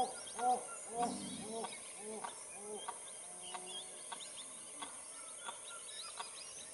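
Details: A Wattled Jacana (Jacana jacana) from South America calls while guarding its chicks. Short arched, nasal notes come about twice a second and fade into faint clicking ticks, over a quiet rural background.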